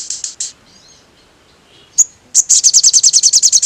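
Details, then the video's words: Sogon song used to stir other sogons into anger. Three high notes, a pause, and a sharp chip lead into a fast, regular trill of bright, very high notes. "SUARA BURUNG SOGON BIKIN NGAMUK SOGON TROTOL METALIK EMOSI"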